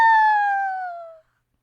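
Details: An educational captive red-tailed hawk at a Rocky Mountain Raptor Program live event, August 2020, gives its distinctive cry, often dubbed over bald eagles in films. It is one long, hoarse scream slurring steadily downward for just over a second, then stopping cleanly.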